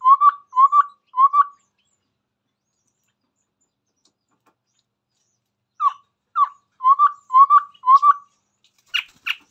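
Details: Singing actively in front of a phone, a Chestnut-rumped babbler gives three low whistles, falls silent, then resumes with two down-slurred notes and five more even whistles. Sharp noisy clicks come at the end.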